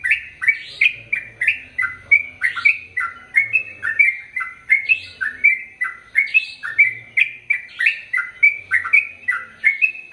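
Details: Sooty-headed bulbul (Pycnonotus aurigaster), song.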